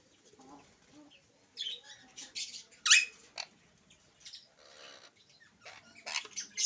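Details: Alexandrine parakeet, a talking pet parrot said to speak Urdu and English, giving scattered raspy, chattering syllables with one loud, harsh shriek near the middle and short squawky bursts toward the end, separated by quiet gaps.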